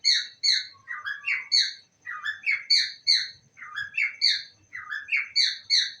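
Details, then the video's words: Pet parrot saying "I love you" indoors, the three-syllable phrase repeated quickly about six times in a row, bright and squeaky with clear pauses between each phrase. "my parrot saying i love you"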